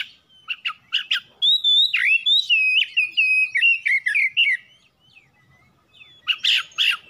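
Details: Oriental magpie-robin singing to provoke other birds, chips leading into a sustained phrase of clear whistles that warble and step down, then a brief pause and more chips.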